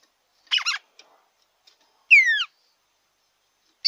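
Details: Red-cowled cardinal song for stimulating a kept bird: a rattling, buzzy phrase, a pause, then a strong whistled note sweeping downward, with the next phrase just beginning at the end.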